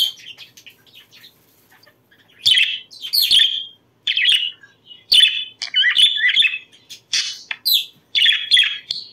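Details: Pet budgerigars warbling as a breeding stimulus: soft twittering at first, then louder bursts of squeaky chirps and buzzy chatter about once a second, separated by brief pauses.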